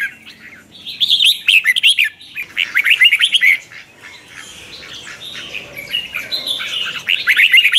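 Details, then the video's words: Chào mào, the red-whiskered bulbul, in twisting-voice morning song used to train other birds; long run of rapid, chattering warbles, then a softer pause and a resumed rolling phrase. "Luyện chào mào hót sáng, Giọng xoắn QUÁ HAY"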